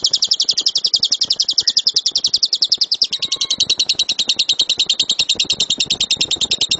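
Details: Lovebird in 'gemuruh tembakan' song, meant as a master recording to teach birds loud rapid-fire calls: an unbroken stream of piercing high chirps delivered about three per second for nearly seven seconds.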